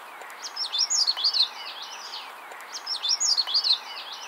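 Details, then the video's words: Magnolia Warbler song, remembered as "weedio" or "weedle weedle weedio": two short, sweet phrases of high, slurred whistled notes, each about a second long and ending in a quick flourish, over faint background hiss. "the Magnolia warbler has a couple different ways to remember it some people say it sounds like weedio or Weedle Widow weedio"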